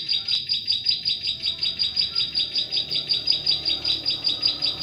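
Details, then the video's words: Bar-winged prinia (ciblek sawah) singing as bait for trapping prenjak klik in forest; sharp, high notes repeat quickly and regularly, about two and a half per second, over soft background noise. "SUARA PIKAT CIBLEK SAWAH SANGAT COCOK UNTUK SUARA PANCINGAN PIKAT PRENJAK KLIK DI HUTAN"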